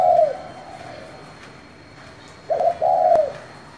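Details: Spotted dove singing in the 'thổ' voice style, calling to spur wild doves to answer. A fading low coo ends early on, then a full hollow, two-part coo follows, with a short note and a longer, falling phrase.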